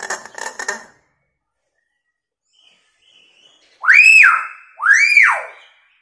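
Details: Hill myna imitating a siren and a woman's scream as a lure for silent mynas: a short burst of rough buzzy notes, a pause, then two loud arched whistles that sweep up and drop back down.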